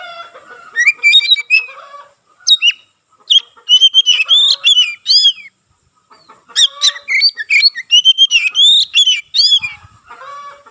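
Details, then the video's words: Oriental magpie-robin in full song, tail fanned open, its singing said to spur other magpie-robins to sing; dense bursts of bright whistles and warbled phrases, two long runs separated by a brief gap. "burung kacer gacor buka ekor sekali bunyi langsung bisa merangsang kacerlain gacor"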